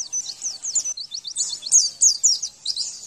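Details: Javan white-eye, from a training recording for getting birds to respond and sing: an unbroken, dense stream of very high, quick, slurred chirps and squeaky twitters with no gaps.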